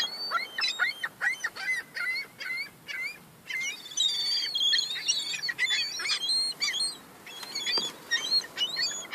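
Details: Young gulls fighting over crumbs produce a steady, crowded chatter of high squeals and short sharp cries, many birds calling over one another with hardly a break.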